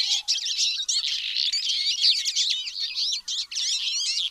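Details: Twite chatter of fast, bright chirps and wavering whistled notes, packed tightly together and pouring out steadily with only tiny gaps.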